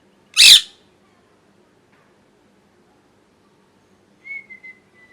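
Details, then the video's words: Pet parrot, molting and missing feathers, gives a single harsh, rasping squawk near the start, then near-silence before a thin, level whistled note appears at the end. "Parrot Chirping Sounds | Natural Parrot Sounds | Parrot Calling Sounds"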